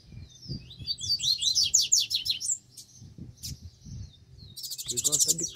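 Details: Double-collared seedeater in puxada song, giving a fast run of high, slurred chirps for about a second and a half, with another bird's rapid trill near the end and people talking quietly underneath.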